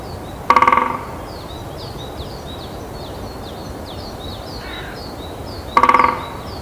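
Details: Male great spotted woodpecker drumming on a dry, resonant pine branch in Kalinovsky forest park, Yekaterinburg, on 1 April 2020. He warns rivals that the territory is occupied and attracts a female. Two short, rapid ringing rolls come about five seconds apart, with high chirps from small birds throughout.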